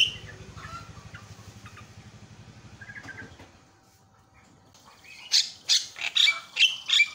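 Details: Javan myna calls played to provoke other mynas: soft scattered notes over a low hum at first, then after a pause five loud, harsh squawking bursts about half a second apart.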